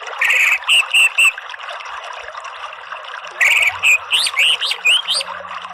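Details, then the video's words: Orange-headed thrush song used as training audio for captive birds: three short clear whistles, a quiet gap of about two seconds, then a lively burst of rising and falling whistled notes, over constant hiss. "BUNYI ANIS MERAH spontan NYAUT NGERIWIK NGEPLONG"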